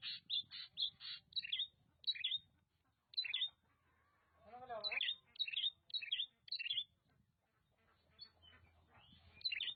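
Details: Oriental magpie-robin from Nagan Raya, Aceh, giving a series of sharp high whistled notes in rapid groups, then a pause with a low wavering sound and faint background noise before more clipped whistles.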